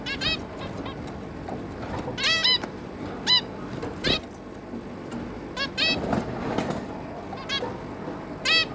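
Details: A zebra finch pair with three juvenile young, recorded 11 May 2022: bursts of short nasal beeps at uneven intervals, with a soft rustle midway and background hum.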